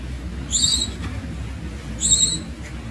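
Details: Young Javan munias (Lonchura leucogastroides), newly hatched, giving begging calls: two high, thin, slightly rising squeaks about a second and a half apart, over a low background hum.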